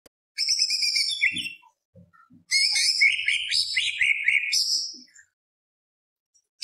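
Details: Greater green leafbird, a lively singing bird kept for song, giving loud high phrases in two bursts: slurred whistles and rapid buzzy rolls stacked in layers, with a short low note between bursts and a quiet gap.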